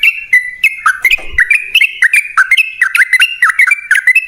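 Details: Sooty-headed bulbul singing energetically in long 'ropel panjang' style, meant to lure other birds into song: a fast stream of whistled, slurred notes with sharp up-and-down inflections, plus a brief low thump partway through.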